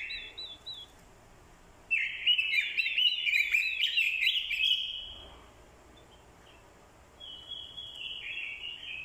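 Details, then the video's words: Orange-headed thrush, a decoy bird singing in contest style alongside a female's calls used to stimulate the male, giving rich, varied phrases packed with quick mimicked notes, high and tumbling, with a softer wavering phrase near the end. "Chim Quế lâm mồi, hót đấu cực hay. kèm tiếng quế lâm mái, kích trống hót đấu hay."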